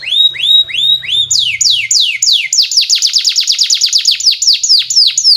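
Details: Domestic canary song played as a training lure for young canaries: a few rising whistled notes, then a long rapid trill of sharply descending sweeps repeated about three per second, with a faint low hum early on.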